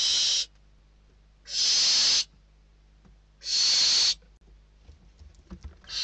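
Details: Barn owl nestlings in Spain beg during a food delivery, the oldest chick winning the prey bird; loud rasping hisses of about a second each, spaced roughly a second and a half apart, with soft scuffling noises between.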